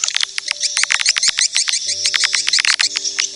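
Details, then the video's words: Edible-nest swiftlets in a recording played to draw swiftlets: loud, rapid high-pitched chirps repeated several times a second, with faint low tones entering midway. "suara panggil burung walet"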